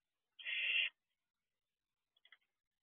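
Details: Barn owl young on the roof of their owl box in the night of 2 June 2023, an owlet joining its sibling: one drawn-out raspy hiss, then a few faint clicks.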